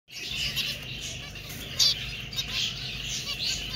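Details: Finch calling: a steady run of bright, high chirps and short twittering notes, a louder note near the middle, with a low background hum throughout.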